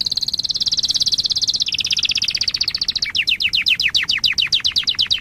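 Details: Master song of a canary for young canaries to learn: a fast high buzzy trill sliding slightly lower, changing into a series of sharp falling chirps, about four per second.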